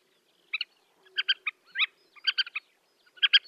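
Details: Black-winged pratincole (Glareola nordmanni) in flight over the Astrakhan steppe, Russia, in April 2017, giving sharp, chattering calls in quick clusters of two or three notes about once a second; otherwise quiet.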